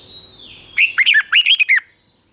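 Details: Red-whiskered bulbul, Thai southern master-style song for exciting caged birds and teaching chicks: a faint thin whistle leads into two rapid clusters of rich, dipping and rising whistled notes.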